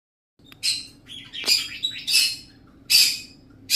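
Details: Talking parrot voicing harsh, raspy bursts of varied length, some with short whistled tones, in an irregular run of about five loud phrases separated by brief quiet gaps, over a faint steady hum.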